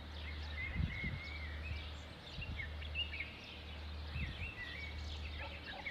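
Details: Sparrows chirp on a morning in Sultan Yacoub, Lebanon, in a busy chorus of short, high, twittering notes, scattered and overlapping, over a steady low mechanical hum and a few dull thumps.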